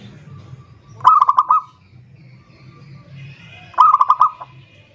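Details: Zebra dove calling a rival: two bursts of soft rapid cooing notes near the same pitch, each about half a second long, roughly three seconds apart, over a low steady background hum.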